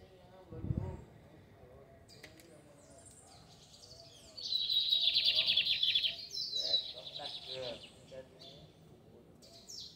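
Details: Lined seedeater heard from a town square in the Fátima district, opening with a low thump, then a loud buzzy trill lasting about two seconds followed by broken twittering notes, background traffic hum and faint talk.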